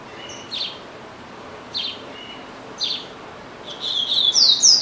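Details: Pet double-collared seedeater held in a cage, singing often: three short high chirps spaced about a second apart, then a rapid burst of sweeping whistled notes rising in loudness at the end.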